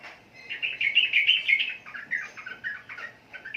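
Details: Sooty-headed bulbul (trucukan) giving a rapid, rolling chatter of bright, slurred notes, loudest early on, then trailing into shorter scattered phrases.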